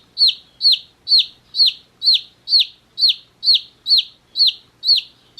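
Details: Baby chicks one day old, in a summer hat, chirp loudly and very regularly: piercing high notes dropping in pitch, about two per second throughout, on a quiet background.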